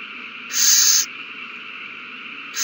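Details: An owl at the nest amid a prey frenzy after a mouse is passed along, 21 March 2020. A single breathy screech-hiss of about half a second stands out, with another starting at the end.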